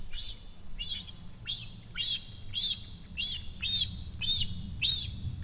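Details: Young cinereous vulture on the nest in Sierra de Guadarrama National Park, Rascafría, begging for food from its approaching mother. Regular high-pitched arched squeals repeat about every half second over low rumbling background noise.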